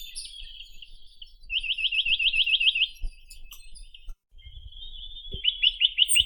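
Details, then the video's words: Chinese nuthatch song as a chain of about ten quick upslurred notes, a pause with faint twitter, then a shorter trill of five notes; a few low knocks are heard. "Как поёт Поползень косматый (Sitta villosa)"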